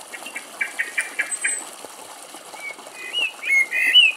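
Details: A Common blackbird drinking at a garden bird bath gives a few clear, fluting whistles that slide up and down, preceded by quick fluttering splashes and scrappy chirps.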